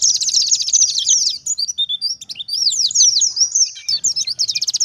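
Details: Wild-style 'ngalas' singing of an oriental white-eye, played to draw replies from white-eyes. A fast high trill, then a run of sharp, descending slurred notes, ending in a rapid buzzy rattle.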